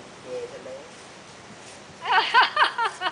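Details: A common hill myna kept as a talking bird at a house in Hua Hin, Thailand, imitates human speech: a soft, brief phrase, then a quick burst of four or five clear, voice-like syllables in a quiet room.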